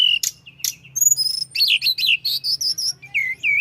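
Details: Rolling flowerpecker song, said to raise rivals' aggression: a few sharp ticks, then a fast chattering sequence of high, thin, twisting notes ending in short upslurred whistles, with a low hum underneath.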